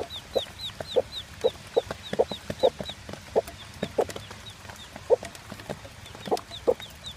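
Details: One-day-old chick beside its mother hen, mostly Plymouth Barred Rock, sired by a Barred Cochin: faint high arched peeps repeated through the clip, with the hen's low clucks about every half second and a slightly noisy background.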